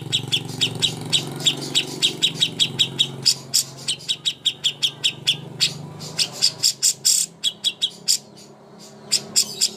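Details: Greater green leafbird master song for contest birds, a long series of sharp high chirps and buzzy notes, growing louder and denser toward the end, over a low droning hum.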